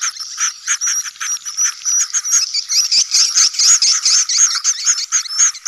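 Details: Swiftlet colony lure sound of the style called sedot anakan, meant for new swiftlet houses: dense chattering and clicking with repeated high whistled chirps, many birds calling together without pause.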